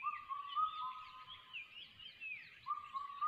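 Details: In ATR forest, a crested hawk-eagle chick repeats piercing level whistles, each with a rising start. Higher, thinner twittering from other birds overlaps the calls, over a light background hiss.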